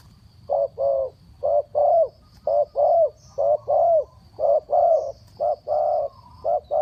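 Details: Rapid cooing of a spotted dove kept as a trapping decoy: soft, low hooting notes in quick pairs, a short coo then a longer, slightly wavering one, repeating steadily about once per second over a quiet background.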